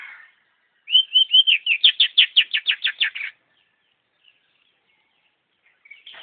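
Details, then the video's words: Energetic long-tailed shrike song: rising whistled notes speed into a rapid rattling series of about a dozen strong notes, followed by near silence. "Burung pentet Super nggacor"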